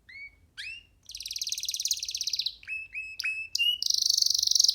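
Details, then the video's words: Young canary singing freely while perched on a person's hand, giving whistled upslurred notes, a long buzzy trill and a fast rattling trill at the end. "Canary singing freely on sitting on d hand"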